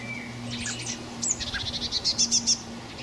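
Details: Young common blackbirds calling for food on 26 May 2018, a short thin whistle, then scattered high chirps building into a fast run of pulsed squeaks, with a low droning hum beneath.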